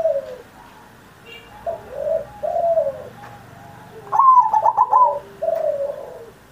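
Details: Zebra dove in full song, meant to prompt caged perkutut still learning to call, taped on Indonesia's 79th Independence Day. Gentle low coos, then one loud rattled coo burst ending in a drawn falling note.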